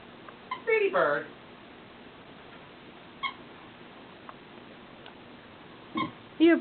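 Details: Charlie, a 5-year-old Yellow-naped amazon believed female, laughs indoors with a burst of harsh, wavering, laugh-like notes, then a few short throaty coughs spaced over several seconds in a quiet room.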